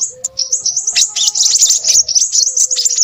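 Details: Crimson sunbird giving rapid, thin, high twittering notes about four per second, rising into a lively run. Faint steady low tones, like cooing, sound in the background.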